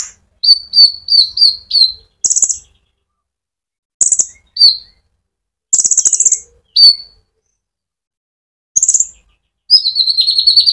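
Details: A brown-throated sunbird (konin) sings gacor 'ngerol' song used to provoke olive-backed sunbirds. A quick series of five sharp whistled notes, then scattered buzzy rattles and a closing trill, with pauses between.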